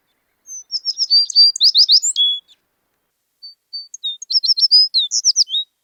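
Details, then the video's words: Two songs of an American tree sparrow about a second apart, each a string of high, clear, rapidly repeated sweet notes running into a slurred warble and ending on a lower sustained tone. The setting is quiet. "American Tree Sparrow"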